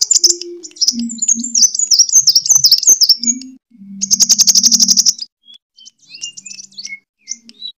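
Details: Sunbird fighting song, known as kolibri tarung, played to lure and train birds: dense high chattering twitters, then a fast buzzy trill lasting over a second, followed by sparse thin whistled notes.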